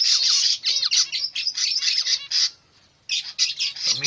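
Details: Newly hatched zebra finch chicks give dense, high, buzzy chattering calls in a continuous rapid stream.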